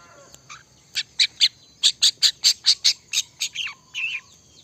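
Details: Cendet in full song: a rapid series of about ten sharp, high, clipped notes in a steady rhythm, followed by a rising and falling warbled phrase; a steady high hiss lies beneath.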